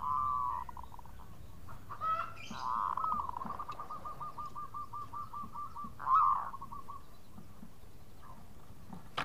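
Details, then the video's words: Local zebra dove singing khong style to call companions: a warbled opening, then a long trilling series of rapid repeated coo notes and a brief louder flourish, over quiet background noise. "Perkutut Lokal Gacor Suara Khong crewet panggil teman"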